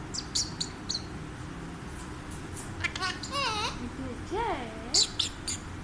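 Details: An Alexandrine parakeet, called Mithu, talks, giving voice-like, wavering syllables mimicking speech, mixed with sharp high chirps; a person speaks softly nearby.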